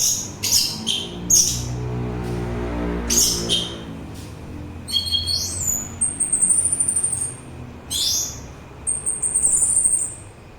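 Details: Orange-headed thrush song, used for relaxation and to lure birds: short sharp high notes over a low humming drone at first, then long sustained, finely trilled high whistles and sweeping phrases.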